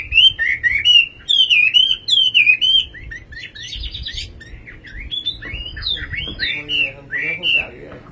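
Nightingale song: loud, clear whistled phrases with slurred up-and-down notes, repeated in quick bursts, then softer varied twitters; faint background murmur.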